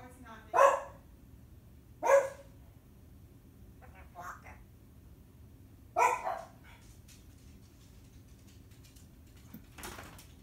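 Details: Timneh African grey parrot (Psittacus timneh), talking.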